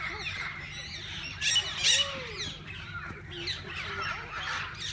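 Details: Various parakeets in a walk-in aviary producing busy, scratchy chatter, with a louder burst of shrill squawks midway and a faint low whistle beneath.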